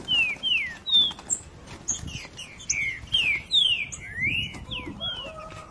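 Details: Green-winged saltator singing in the '3 nota boi' style against another saltator: a rapid run of loud, slurred whistles, mostly falling and some rising, in quick succession, with faint chirps and background noise.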